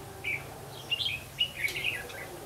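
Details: Red-whiskered bulbul used as a trapping decoy, recorded 8 October 2016: a rapid string of clear, bouncing whistled notes forming a brief warbled phrase over steady low background hum.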